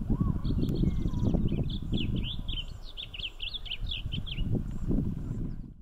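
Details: Blue grosbeak singing on a trail, where it sang for a whole hour. A rich, fast warble of rising and falling notes lasts about three seconds, after a few thin notes, over a steady low wind rumble.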